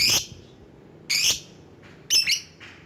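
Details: Lovebird used as a lure to call rivals: three short, shrill, buzzy screeches spaced about a second apart, each with a grating, noisy edge.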